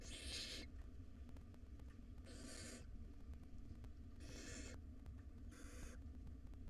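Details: Wild barn owl nestlings, five of them in a monitored nest box, call hungrily at feeding time with four loud noisy screeches at roughly one-and-a-half-second intervals, low hum beneath.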